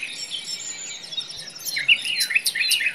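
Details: Common nightingale singing in a forest: soft, jumbled high notes, then loud, sweeping, looping whistled phrases that rise and fall quickly, with a steady high hiss of insects behind.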